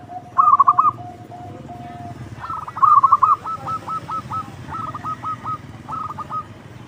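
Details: Local zebra dove with a loud song, used to lure other doves: two rolling trilled bursts, then a long run of short cooing notes in small groups.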